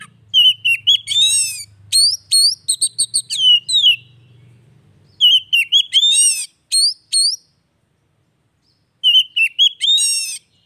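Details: Three phrases of Oriental magpie-robin song intended to restart a silent bird's singing: each mixes wavering whistles, quick upswept chirps and buzzy harmonic notes, with long pauses between and a faint low hum early on.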